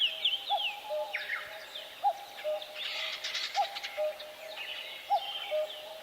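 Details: A chorus of birds in a forest: high slurred whistles and a buzzy, crackling burst in the middle. Low piping notes pulse every second and a half beneath a noisy background.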